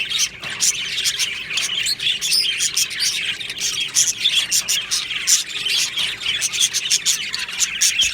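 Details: Budgerigars in a colony aviary, recorded 22 June 2025, singing a busy high-pitched chorus of twittering chirps and thin whistled notes, dense and continuous from start to finish.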